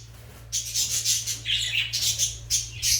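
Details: Fischer's lovebirds during mating and nest preparation: harsh, high-pitched chattering squawks in a near-continuous run of overlapping bursts after a short quiet start, with a steady low hum underneath.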